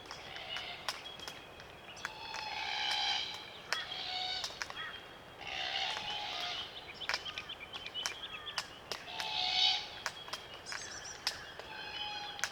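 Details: A small flock of glossy black cockatoos (Calyptorhynchus lathami) feeding on Allocasuarina cones in Australian bush, Macleay River valley, NSW, gives soft, creaky, wavering calls mixed with sharp clicks and cracking feeding sounds over a low outdoor hiss.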